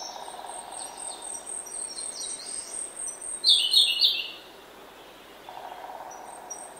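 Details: Grey-backed thrush in oak woodland at early morning, giving one loud, fluid warbling phrase midway, surrounded by faint high chirps from other birds and a constant thin whistle-like drone.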